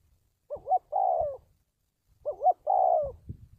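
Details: Spotted dove lure call for training decoys and attracting wild doves to traps. Two mellow phrases each pair a quick wobbling double note with a sustained, slightly falling coo. Brief low knocks follow each phrase.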